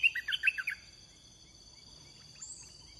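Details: Red-whiskered bulbul during decoy trapping of wild birds. One short, quick phrase of five bubbly whistled notes at the start, then near silence apart from a faint high whistle and a steady background whine.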